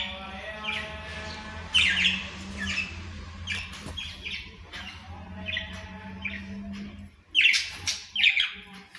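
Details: Several budgerigars (Australian parrots) chattering with scratchy warbles and short chirps, repeated irregularly, louder squawky bursts near the end, and a faint hum underneath.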